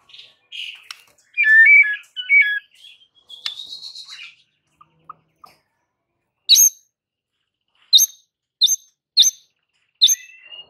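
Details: White-rumped shama song used to provoke rival birds: varied whistled and chattering phrases around the first seconds, then sharp high notes repeated at irregular intervals with gaps of silence.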